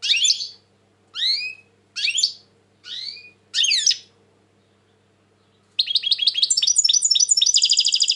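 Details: European goldfinch, described as very tense at present, singing: five separate buzzy, downward-sweeping notes, then a fast, dense, twittering trill of high tinkling notes that runs to the end.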